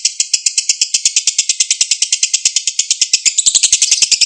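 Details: Lovebird's extended ngekek chattering, played to bring a silent lovebird back to singing. Rapid grating pulses, about seven per second, shift slightly higher and faster in the last second.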